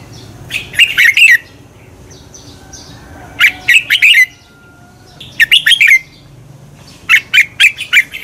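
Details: Red-whiskered bulbul song used to stimulate birds to sing in competition: four bursts of loud, rapid chirpy notes with a fluted, warbling quality, each burst of three to five notes, separated by pauses of about a second, with faint softer notes between.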